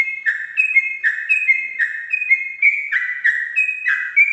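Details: 'Ropel' song of a sooty-headed bulbul at dawn, a tutor recording for captive birds: steady repeated two-tone whistled phrases, a higher note dropping to a lower one, regular and loud, nothing else audible.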